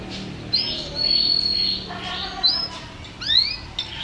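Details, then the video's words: Singing canary, presented as a champion bird in full song, gives high sustained whistles and bright upward slurred notes, with short rising sweeps near the end over a low background hum. "Video Burung Kenari Juara Gacor"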